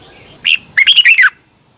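Red-whiskered bulbul: one short note, then a quick run of five liquid, warbled notes that drops at the end, over a faint steady high whine.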